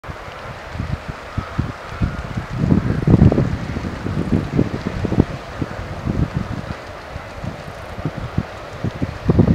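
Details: Wind buffeting the microphone with low rumbling gusts and a steady hiss; no animal calls stand out.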